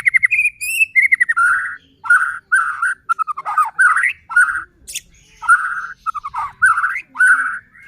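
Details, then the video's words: White-rumped shama singing gacor as a lure to stir other shamas into song; clear whistled notes around a steady pitch, repeated short phrases with chattering bursts and brief pauses. "Murai batu gacor AMPUH buat PANCINGAN murai batu agar bunyi JADIKAN burung murai EMOSI"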